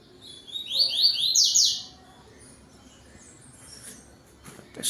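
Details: Tui tui song from a yellow-billed double-collared seedeater at home, 17:31 on 12 November 2025, getting dark. A rapid series of bright, high downslurred whistles lasts about one and a half seconds, followed by quiet background and a brief knock.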